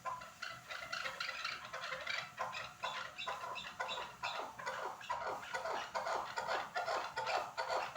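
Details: Chukar partridges from Norak: dense, rapid series of harsh clucking notes, roughly two to three per second, overlapping as though several birds call together, with a faint steady hum beneath.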